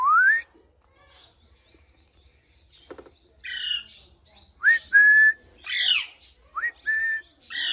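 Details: Parrot whistling and calling: short rising whistles mixed with harsh, buzzy squawks and chirps, given in scattered bursts with brief pauses between them, with no other clear sounds.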